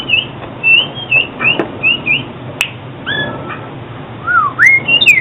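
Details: Oriental magpie-robin singing for trapping and song training: a run of short high whistled notes, then lower slurred whistles rising and falling near the end, over faint background hum.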